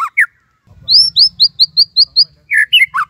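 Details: Caged white-rumped shama (murai batu) singing imitated phrases. It gives a short whistle, then a string of about eight high upswept notes, then lower twisting whistles. A low hum sounds in the background.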